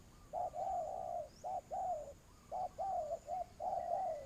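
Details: Lure spotted dove for bird trapping, cooing in a steady pattern: a short note, then a long coo dropping in pitch, repeated about once a second; a faint higher chirp is heard near the end.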